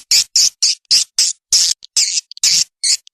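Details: Edible-nest swiftlet calling sound used as a lure: separate short, harsh, high squeaky chirps repeated roughly every quarter second, about ten notes with a few faint ticks.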